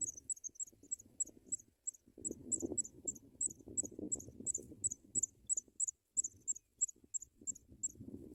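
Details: Nest of African pipit chicks receiving white butterflies from parents: steady stream of high, needle-thin squeaks, roughly three per second, over intermittent rustling and shuffling in the nest.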